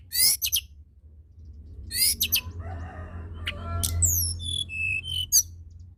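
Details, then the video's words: Blood-breasted flowerpecker in full song, used to stir silent tledekan: bright high chirp bursts, a short buzzy stretch, then a series of falling and level pure whistles, with a low hum throughout. "Tledekan gunung gacor!! sangat cepat merangsang bunyi burung tledekan malas bunyi"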